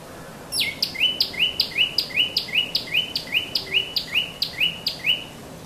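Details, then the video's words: A Common Tailorbird (Orthotomus sutorius) at Mount Lavinia, Sri Lanka, gives a loud, sharp, repeated two-part note, high and ringing, about twice a second over faint background hiss. "Common Tailorbird Bird Voice - दर्ज़ी | බට්ටිච්චා"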